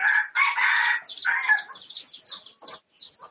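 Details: A red junglefowl, pradu colour variety, crows loudly in stuttering bursts at the start, then fades into scattered high chirps of small birds. Research recording, 18 August 2023.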